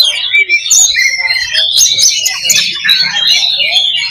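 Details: Kacer, the Oriental magpie-robin, performing 'loba' fighting song for building combative mentality: rapid tangled warbling, buzzy trills and rising whistled slurs packed tightly together, with barely a pause across the few seconds.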